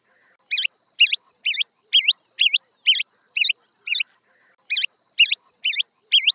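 African pygmy goose giving a run of high, sharp whistled notes, about two per second, each a quick twisting chirp, with a faint steady hiss behind.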